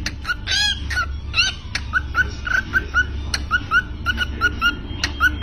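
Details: Cockatiel (Nymphicus hollandicus) song: a string of short, mid-pitched whistled chirps, some sliding upward, at an uneven pace, with sharp clicks and a low background hum.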